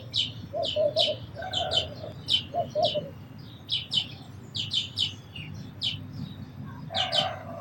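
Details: Sparrows chirp in steady runs of short, high notes about twice a second, mixed with lower, softer cooing notes from other birds.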